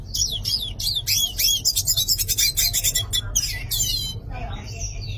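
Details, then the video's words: A yellow-faced siskin sings a fast, high, twittering song of buzzy trills and sharp chirps, delivered in rapid varied phrases over a low background hum. "Pintassilgo do nordeste cantando - Yellow faced Siskin Singing"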